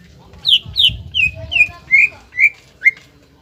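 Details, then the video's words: Greater green leafbird song used to stimulate young birds to sing: seven bright whistled notes stepping downward in pitch, roughly one every half second, over a low background rumble. "PANCINGAN CUCAK IJO GACOR INI MAMPU MENAIKAN EMOSI IJO BAHAN AGAR BUNYI GACOR"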